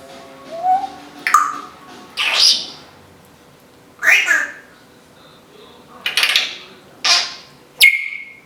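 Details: Talking female Timneh African grey parrot at home utters a series of short, speech-like harsh syllables and squawky bursts, ending with a sharp rising whistle that holds steady.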